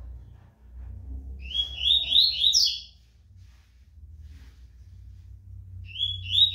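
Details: Tournament-trained rusty-collared seedeater, described as fast and strong, singing a rapid run of bright, buzzy, upslurred notes for about a second and a half, then starting again after a pause over a low steady hum.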